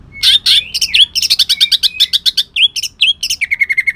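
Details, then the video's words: Leafbird (cucak ijo) from Kalimantan in harsh, shot-like song laced with long-tailed shrike imitation: dense loud chips and sweeping whistles, ending in a quick level rattle. "cucak ijo kalimantan tembakan kasar"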